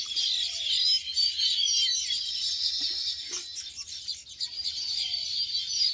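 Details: Flock of baya weavers nesting in palmyra palm trees in an open field: constant overlapping high chirps and twitters, a busy chorus with a few brief lower notes beneath.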